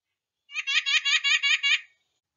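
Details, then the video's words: White-breasted nuthatch of the woods giving a quick run of about seven nasal, laughing notes, evenly paced about five per second, with a clear background. "If you've ever been walking in the woods, you've heard this bird before, the white-breasted nuthatch."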